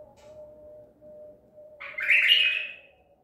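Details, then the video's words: White-eared bulbul, Baghdadi tur bird captured at Medical City, 14 April 2021: after quiet hum, a single strong gurgling phrase bursts out, about one second of fast liquid notes. "تغريد بلبل طور بغدادي"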